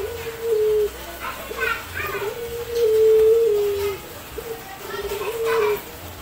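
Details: Eurasian collared dove, known locally as puter, calling persistently with a mellow, drawn-out sound. Low, steady coos are repeated in phrases of about one to one and a half seconds, with human voices in the background.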